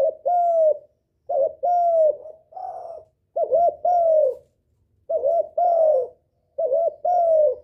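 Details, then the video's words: Spotted dove lure calling to stimulate a decoy bird and bring in males: mellow paired coos, a brief kinked note and a longer sliding one, with one rougher purring note between phrases. "Tiếng chim cu gáy gọi kích bổi, gọi trống cực hay"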